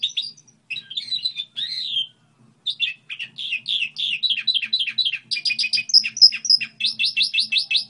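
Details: A goldfinch hybrid gives a lively warbling song, starting with slurred twitters and building into fast, repeated high metallic trills and chirps.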